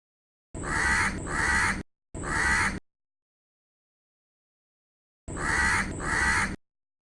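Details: Crow calling from a tree: harsh, hoarse caws in a quick pair, a single caw, then after a pause another pair, each note broad and grating.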